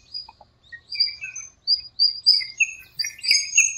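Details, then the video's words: Dawn birdsong in a small park in breeding season, rainy season: a run of high sliding whistles and chirps, some dropping lower, building into busier overlapping twitters toward the end, with faint low background hum. "공원의 새소리 - 새벽에 잠이 깨서 듣게 되었네요."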